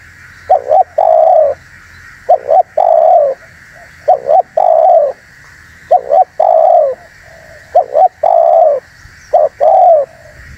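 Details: Lure call of a spotted dove for trapping wild doves. Five phrases, each a short two-note stutter and then a drawn-out coo sinking at the end, come at fairly even intervals over a constant background hiss.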